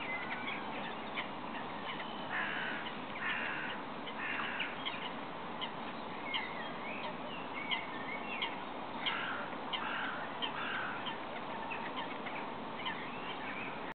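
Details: Great Cormorants at a roost/colony on Lac de Maine, Angers-Bouchemaine, Maine-et-Loire, France, 30 March 2012, including a ringed bird: harsh, guttural croaks in short bursts over a dense background murmur of colony noise.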